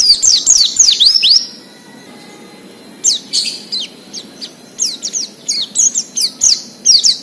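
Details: Oriental white-eye in the wild, singing to spur untrained caged birds: a fast run of high descending whistled notes, a pause, then scattered sharp chirps building into another rapid twittering phrase.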